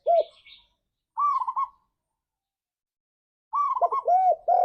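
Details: Song of a spotted dove, played to spur a pet dove into vigorous singing: rapid stuttering higher coos, then a run of low arched coos at the end; brief high twittering at the start.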